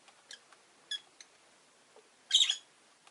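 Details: Orange-faced, green rosy-faced lovebirds in a windowside cage holding five birds: a few short faint chips, then a loud grating double chirp late in the clip over a low hiss.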